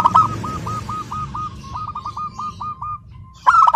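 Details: Local zebra dove, described as clear-voiced, singing without pause: a long series of short, even cooing notes at a quick pace with a brief gap, ending in a loud rolling coo; faint background rumble.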